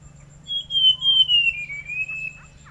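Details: Forest scrub robin giving one long, pure whistled phrase that glides slowly downward for about two seconds, with a faint low hum underneath.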